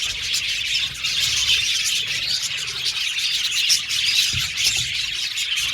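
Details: Budgie colony in an aviary, many birds chattering at once in a steady wash of high, buzzy twitters and short chirps, with brief louder squeaks.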